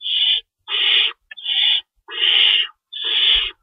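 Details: Feeding time in an owl nest before dawn, 3:53 AM, March 25, 2012, two rabbits stored and an adult tearing up food; five loud, raspy hisses, each roughly half a second, with a faint tick between the second and third.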